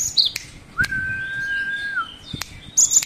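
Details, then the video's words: Great tit singing a varied song: high thin chirps, then a long, steady mid-pitched whistle of over a second, ending in more sharp high notes, with a few dry clicks. "gelatik batu pastol variasi banyak isian"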